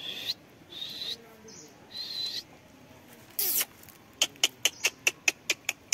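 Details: Talking rose-ringed parakeet: several short, high, tonal squawks in the first half, then a fast run of about ten sharp clicks near the end.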